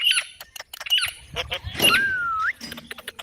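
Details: Parrot squawks repeated three times, then a long level whistle rising sharply at its end, with soft background noise.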